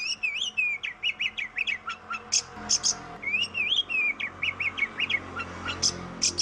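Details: Oriental magpie-robin in full song, used to stir lazy birds into singing: rising and falling whistled slurs, clipped chips and harsh high buzzes, with a brief quiet gap midway before the phrases resume.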